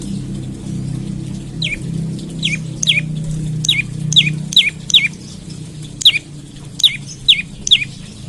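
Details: Olive-backed tailorbird in the morning, a lure meant to get other birds singing fast: a run of bright, sharply falling chip notes, some paired, repeated many times in quick succession over a low hum.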